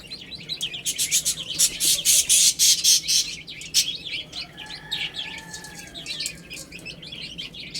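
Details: Young chickens at food and water; loud rattling scratchy bursts fill the first few seconds, then a chorus of high, short peeps carries on, with a soft lower tone near the middle.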